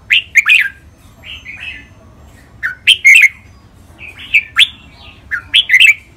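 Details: Two caged red-whiskered bulbuls sing against each other in a Thai song-training session: clusters of loud, throaty, slurred whistles alternate with quieter rolling warbles, roughly every two to three seconds, with a faint constant hum behind.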